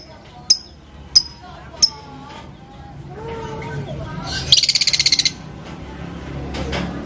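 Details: Lovebird set to call rivals into song: three sharp, isolated high chips spaced under a second apart, then a short fast chattering burst of about ten notes, over quiet background hiss.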